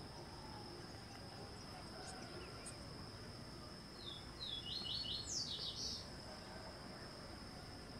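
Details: White-spotted woodpecker, a Brazilian forest endemic, while eating a larva: after a quiet stretch, one brief run of high, clipped notes that climbs in pitch near the end, set against a constant shrill insect tone.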